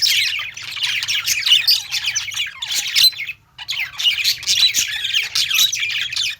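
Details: Pet-store budgerigars chattering as a group: busy, rasping warbles and high chirps that pause briefly near the middle before resuming, with a low background hum throughout.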